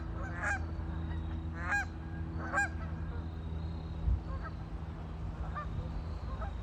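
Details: Ducks on a lake: three loud, harsh, honking calls in quick succession open the stretch, followed by softer, more distant calls over a steady low background drone.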